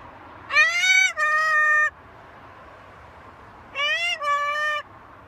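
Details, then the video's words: A pet macaw gives two drawn-out, two-part vocalizations about three seconds apart, tonal and nasal, rising slightly then holding level, much like a meow. "Macaw talking"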